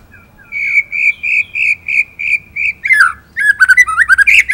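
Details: Indonesian white-rumped shama in vigorous tutor song: a series of seven steady, clear whistled notes at an even pace, followed by a rapid, varied warbling burst of mixed high and low notes.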